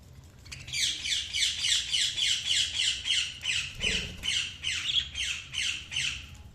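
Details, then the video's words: Budgerigar chirping: a fast series of short, harsh, downward-sweeping chirps, roughly three per second, steady and evenly spaced for about six seconds, with a faint low hum underneath. "Budgies Chirping sound"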